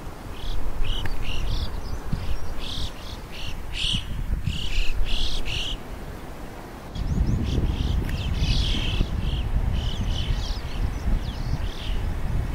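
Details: Choughs in the wild in Morocco giving quick, clipped, high call notes in loose bursts, with a pause midway and strong low wind rumble throughout, heaviest in the second half.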